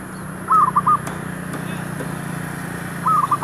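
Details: Zebra dove used as a decoy to lure wild doves near shops, uttering two short bubbling phrases of rapid cooing notes about two and a half seconds apart over a steady low hum.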